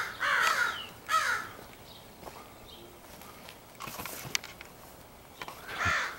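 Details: Crows of a large gathered group calling in early April 2015, possibly sorting out mates; two loud harsh caws open, then faint distant calls and a few clicks before one more caw closes.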